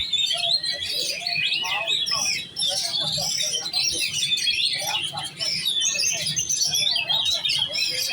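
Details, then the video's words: Oriental magpie-robin (kacer) in giras, competition-set singing: a dense, continuous stream of varied high whistles, trills and chattering notes, with faint low background rumble. "Burung kacer giras set lomba kejar on ngunci"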